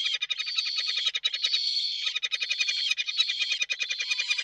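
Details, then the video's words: Peregrine falcons courting on a carpet-beater by their nest, recorded 19 March 2024: continuous rapid, grating chatter of pulsed buzzy notes with a nasal whining quality, barely pausing throughout. "sokół wędrowny - Amory na trzepaku"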